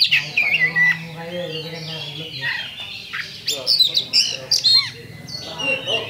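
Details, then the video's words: Oriental magpie-robin lure song from a champion kacer, used to provoke fighting: scattered whistled notes and sharp chips over a steady low hum, with a few high slurred phrases toward the end. "PALING TOP LANSUNG TARUNG ! PANCINGAN KACER JUARA"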